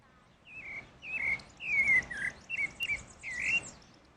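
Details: Pale-breasted thrush singing in natural surroundings, giving half a dozen loud, mellow whistled phrases that swoop up and down, some drawn out, some clipped, against a quiet background.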